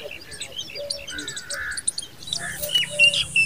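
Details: Common babbler protecting her young in the nest, giving busy, high, squeaky chattering notes in quick succession, with a low hum in the background during the second half.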